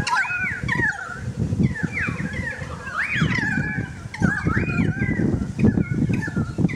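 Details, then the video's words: Balcony currawong song: arched, fluting whistles that swoop up and down, repeated in clusters every second or so, over a low background hum. "The Currawong Song"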